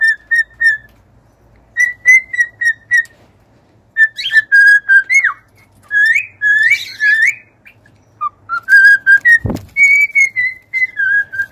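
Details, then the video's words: Cockatiels singing indoors: clear whistled notes in short phrases, some steady, some rising and wavering, with a few harsher buzzy flourishes and one sharp click. "an hour of cockatiels singing!"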